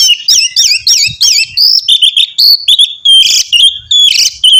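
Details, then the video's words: Oriental magpie-robin singing loudly to prompt another bird to answer: a quick series of looping whistled phrases, then steady clear notes near 3-4k alternating with harsh rasping bursts, all densely packed. "kacer gacor mancing kacer lain ikut bunyi"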